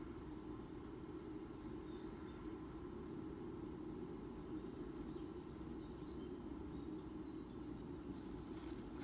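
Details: Low traffic-like rumble runs throughout, ending in a brief crackle, and no animal sound stands out.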